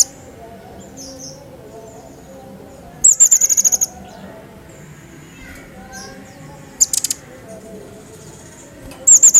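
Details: Pygmy bushtit used as a tutor recording for cage birds: three short bursts of rapid, very high twittering notes, with long quiet gaps and faint high sounds in between.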